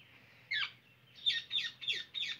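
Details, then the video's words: Indian ringneck parakeet calling: one harsh screech, then a run of four loud, grating squawks in quick succession, with a faint low hum underneath. "Lovely Indian Ringneck Parrot"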